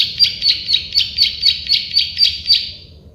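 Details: Plain prinia (klik-klik bird) giving a short burst of loud buzzy clicks, about four per second, fading at the end, over quiet low background noise.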